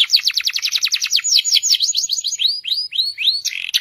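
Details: Canary pouring out continuous 'gacor panjang' song for a masteran: a dense buzzy trill of fast sweeping notes, then four slower, separate upward-arching whistles and a final harsh burst.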